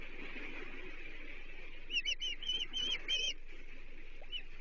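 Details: Osprey at a Chesapeake nest on 30 June 2023 as a menhaden, the third fish of the day, is brought for the chicks; a brief burst of four or five high, whistled chirps over a steady hiss of background noise.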